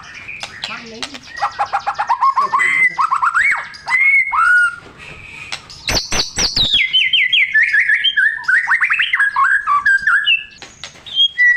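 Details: Song of a white-rumped shama, played to prompt other shamas to sing: varied whistled notes and quick repeated chips, a sharp rasping burst midway, then cascading fluty phrases and trills.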